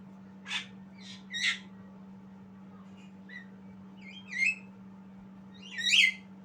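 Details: Young Javan myna trying out its song with sparse, uneven notes: a few soft chirps, then louder squeaky ones toward the end, separated by pauses, over a constant low hum.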